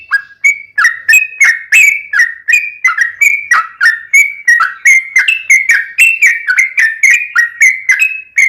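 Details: Yellow-vented bulbul lure song for getting captive birds to reply: a steady stream of liquid, bubbly whistled notes that dip and rise, about three notes per second, with no pauses.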